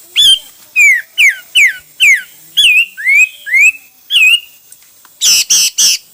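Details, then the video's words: Hwamei song in many styles: a series of loud, clear whistles, each sliding downward or upward, spaced about half a second apart, ending with three harsh, buzzy notes. "Coob quaj ntaus yam (Hoạ mi hót nhiều kiểu hay)"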